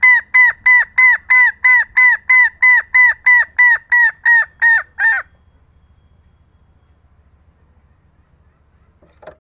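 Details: Female green junglefowl calling to lure lazy males: about fourteen harsh, ringing notes in a fast, very even series over five seconds, then quiet with a faint low hum and a soft sound at the end.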